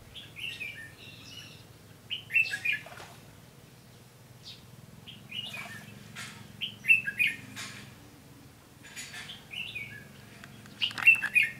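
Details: Red-whiskered bulbul lure bird singing a fighting song at a trap, recorded 15 June 2016: lively whistled phrases of several slurred notes, repeated roughly every four seconds, with sharp clicks between phrases.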